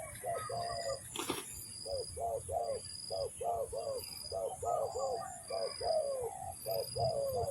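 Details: Spotted dove (tekukur) calls used as a lure for trapping. Soft, low, hollow coos come in short doubled and tripled phrases, repeated steadily. A thin, high insect-like tone pulses throughout, with one sharp knock near the start.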